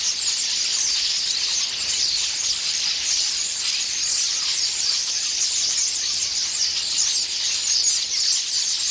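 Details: Common starling flock descending on a pear tree with loud squabbling and pecking at the fruit. Nine seconds of constant, dense high squealing and chattering from many birds at once.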